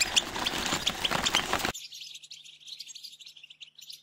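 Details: European goldfinch in tbetba and stsesta mating song: loud, rapid, high chirping with ringing tinkles over hiss, then softer, cleaner twittering continuing to the end.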